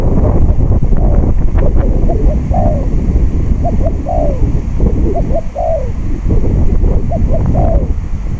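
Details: Spotted dove decoy calling during trapping on a windy day. Brief double notes and drawn-out falling coos recur through the clip, partly masked by heavy gusting wind.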